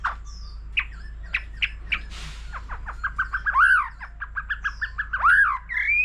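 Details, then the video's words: Mature forest-caught white-rumped shama singing a solo in many varied voices, alongside a laughingthrush: clear whistled notes and short sharp upslurs, then a fast run of repeated chips with looping, rising whistles. "Choè lửa già rừng nhiều giọng hót solo cùng khướu siêu hay"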